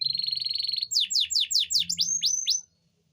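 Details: Canary singing to trigger breeding readiness in females: a steady rolling trill, then a run of about eight loud, evenly spaced downward-sweeping whistles before it stops.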